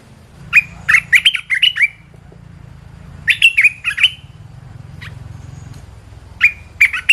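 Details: Training song of a caged red-whiskered bulbul: rapid phrases of bright, chirpy, slurred notes separated by gaps, over a steady low hum in the background.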